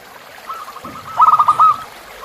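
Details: Tutor song of a zebra dove for caged birds, recorded beside a river. A short phrase of quick pulsed coos rises in loudness toward the end, over a faint low rumble.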